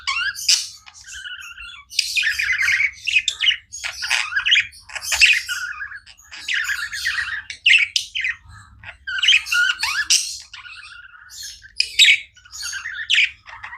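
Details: Pet budgerigars chirping without pause indoors: dense, overlapping warbled chatter and sharp chirps, mostly high-pitched, in bursts of one to two seconds separated by brief gaps.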